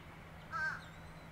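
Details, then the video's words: Fish crow from New Jersey's bayshores, marshes and beaches uttering one brief nasal caw, slightly falling, against a low constant hum. "Fish crow"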